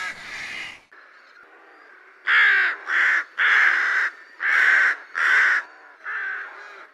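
A rook gives a series of six hoarse, grating caws, each about half a second long, roughly one per second after a brief opening call.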